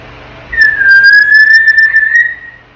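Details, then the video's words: A 10-month-old African grey parrot gives one long, clear, steady whistle of about two seconds, dipping slightly then holding level. "AFRICAN GREY PARROT TALKING AND MAKING SOUNDS"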